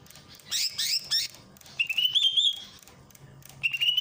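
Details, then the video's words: Greater green leafbird from Ujung Kulon in a masteran recording with water-fountain therapy: a few sharp falling notes, then a rippling warbled whistle and a short rising whistled phrase after a pause. "masteran cucak ijo dengan terapi air mancur"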